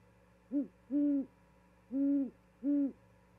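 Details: Bringing a vole to its female mate at a nest watched by a live camera in Charlo, Montana, on 13 February 2022, an owl hoots four times, low and soft. A brief opening note is followed by three drawn-out hoots spaced roughly a second apart.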